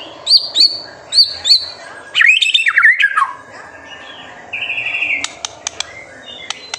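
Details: Singing white-rumped shama from a master recording meant to rouse young birds: four high clear whistled notes, then a loud fluty warbled phrase, later a thin drawn-out whistle and sharp clicks.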